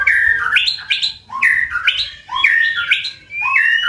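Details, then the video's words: White-rumped shama delivering an intense 'tạch' song meant to stir birds into fighting: loud, clear whistled phrases repeated in quick bursts, each with low swooping notes and higher fluttering trills, separated by brief gaps. "Chòe lửa tạch cực mạnh để kích chim đấu"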